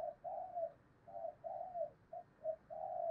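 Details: A 'thổ'-voiced decoy spotted dove calls to provoke other doves to coo. A quiet series of short and drawn-out hollow coos comes over a steady background hiss.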